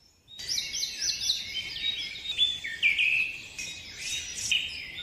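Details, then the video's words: Birds sing a dense, continuous chorus of overlapping high warbles, trills and whistled phrases for nearly the whole clip, loud and busy, over light background hiss. "Birds are singing#चिड़िया रानी गाना गाते हुए"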